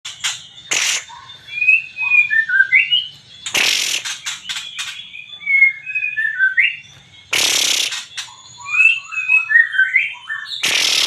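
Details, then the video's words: White-rumped shama from Aceh singing actively: clear whistled phrases, some slurred up and some down, broken every few seconds by loud harsh rasping bursts, with a faint low hum behind. "MURAI BATU GACOR ACEH"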